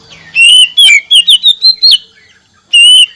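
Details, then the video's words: Oriental magpie-robin, kacer, in loud continuous song: a long whistle followed by a quick string of bright varied whistled notes, a brief pause, then another sustained whistle. "kacer macet bunyi , hitungan detik kembali gacor terus menerus"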